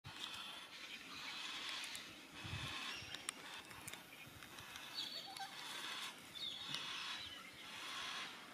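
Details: Yellow-tailed black cockatoos (Zanda funerea) in Tasmania, Australia, give drawn-out, wavering, wailing calls roughly every one to two seconds over a steady outdoor hiss.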